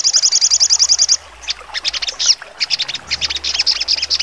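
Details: Sogon singing in the sharp 'trotol' style: a fast, even run of high, piercing notes, then choppy, varied chattering phrases with quieter gaps and a faint low hum.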